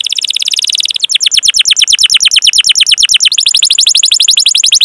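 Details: Canary lure song of the rolling 'cuit cuit' style for prompting young or non-singing canaries: an unbroken run of rapid, buzzy trilled notes whose speed and pitch shift several times.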